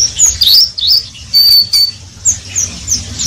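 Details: Oriental white-eye giving bursts of ngeriwik song: a couple of quick slurred chirps, a long level thin whistle, then sparser high chirps.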